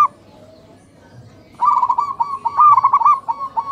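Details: Local zebra doves calling to each other at morning: a quiet opening, then one long rolling coo made of rapid stuttering pulses that grows louder in the middle and trails off.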